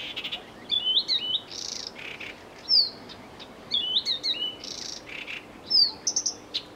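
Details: Blyth's reed warbler (Acrocephalus dumetorum) singing a high, varied phrase of chirps, slurred whistles and buzzy notes.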